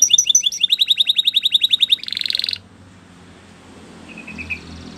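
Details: Canary training song opening with a rapid series of high clipped notes and a brief buzzy trill, then fading to near silence with a faint distant chirp.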